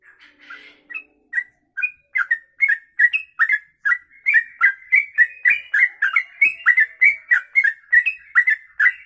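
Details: Trucuk, the sooty-headed bulbul, delivering its long rapid 'kongslet ropelan' song for tutoring: after a brief harsh chatter, a dense fast stream of clear whistled, up-and-down slurred notes, more than one per second.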